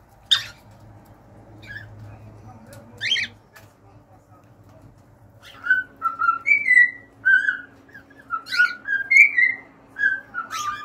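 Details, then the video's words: Scattered dry clicks and brief raspy chirps give way to a cockatiel's lively whistled song: many short tonal notes hopping up and down in pitch, about two per second. "an hour of cockatiels singing"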